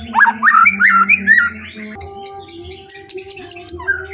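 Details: Lure song of a white-rumped shama, meant to set other shamas singing: quick upward-flicked whistles for two seconds, then a run of high, bright repeated notes, with a steady low drone beneath.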